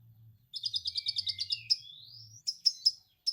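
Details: Lovebird-like ngekek from a konin, the orange-headed thrush, on a stimulation track for young birds. A quick run of about a dozen pulsed chattering notes glides into a rising whistle, then sharp spaced chips. A low hum is heard early on.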